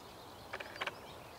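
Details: Black-winged stilt (Himantopus himantopus), call.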